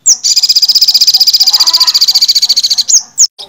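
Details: Olive-backed sunbird, known in Indonesia as sogon or sogok ontong, in energetic song: a loud, fast buzzing trill of about twelve pulses per second held for nearly three seconds, bracketed by brief high chirps.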